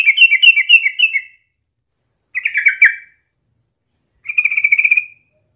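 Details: Lure recording of a sooty-headed bulbul singing to prompt other birds: three short bursts of rapid chirping notes, the first longer and bright with overtones, separated by silent gaps.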